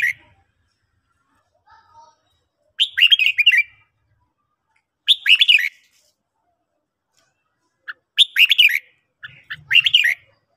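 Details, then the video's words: Morning song of a red-whiskered bulbul, heard as four short, lively whistled phrases spaced a few seconds apart, each a rapid run of chirpy up-and-down notes, with faint low sounds near the end. "luyện chào mào hót buổi sáng"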